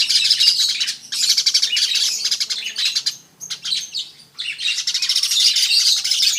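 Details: Weaver song of harsh, sizzling chatter in three main bursts, with a quieter stretch in the middle before a final loud, fizzing run.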